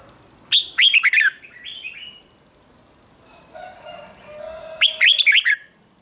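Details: Red-whiskered bulbul song used for morning singing training: two bursts of loud, rich warbled notes sliding between high and middle pitch, separated by a quieter pause with faint background calls.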